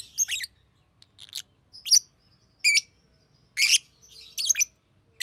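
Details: Green lovebird making high, squeaky chirps, about one every half second to second, each a brief bright burst, with near silence between.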